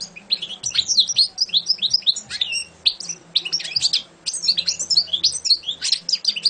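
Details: Champion European goldfinch singing a fast, tumbling twitter of high, sharp chirps and liquid trills in dense bursts, with brief pauses near two and four seconds, over a low steady hum.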